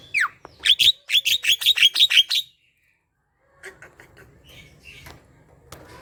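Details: Chatty song of a Javan myna, used to prompt reluctant mynas to sing: a sharp downslurred whistle, then about nine quick ringing notes repeated in a steady burst, a pause, and softer scattered chatter.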